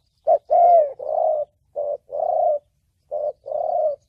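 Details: Spotted dove in the thổ bầu call style, played for trapping and decoy training: a brief coo followed by a drawn-out hollow note, the pair given three times across a few seconds, clear and without background noise.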